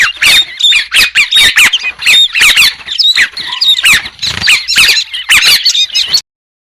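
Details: White-crested laughingthrush song without background noise: a dense, loud run of bright, jumbled whistled and squeaky notes around the upper-middle range, rapid bursts with short gaps, several voices seemingly overlapping, continuing for about six seconds.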